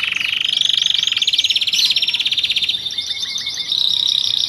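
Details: Canary of the loper kind in cengkok song: a dense rolling trill overlaid with quick up-slurred notes, easing into softer, rapid twittering trills.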